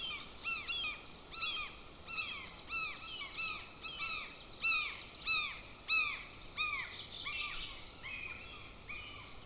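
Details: Hungry golden eagle chick at its nest, on a nest camera near a military training ground, 18 June, trying to swallow a bone from scraps: repeated downslurred squealing calls about every half second, with steady background hiss.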